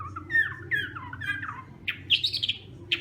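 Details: Hwamei at morning voice training, softer sliding whistled notes and short slurred phrases, then a burst of sharper higher chattering notes near the end.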